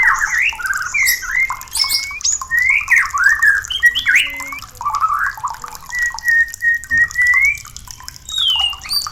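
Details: White-rumped shama song for stimulating birds to breed: looping slurred whistles and short twittering figures, then a long, level whistled note that rises at its end, followed by a few high notes.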